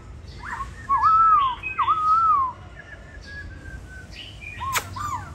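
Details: Caged laughingthrush in Hanoi, Vietnam, moulting its tail feathers and described as a promising bird. It gives two loud, wavering whistled phrases that dip and rise, with softer calls around them and a few sharp clicks near the end.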